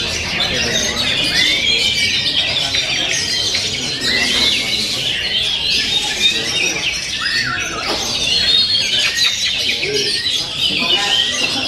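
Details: Oriental magpie-robin in sustained song, a long, unbroken stream of varied whistles, rising and falling slurs and harsh chattering notes, with a few sharp downward sweeps.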